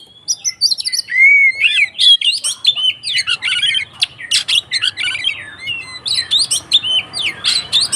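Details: White-rumped shama in agitated fighting song, used to provoke other shamas: clear whistled slurs near the start give way to dense, rapid bursts of harsh chattering notes and sharp high chips packed close together.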